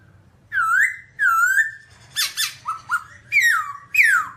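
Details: Babbler singing, described as dancing: loud whistled notes that rise and level off, alternating with harsh clustered bursts and falling slurred whistles, repeated in quick phrases.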